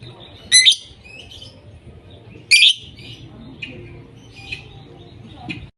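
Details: Lovebirds voicing: two harsh, piercing shrieks two seconds apart, followed by softer scattered chirps over a low background rumble.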